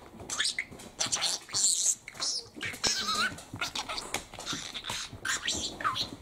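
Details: Talking male parakeet at home, delivering a dense stream of raspy, mimicked syllables and high squeaks in uneven bursts, with one short rising whistle near the middle.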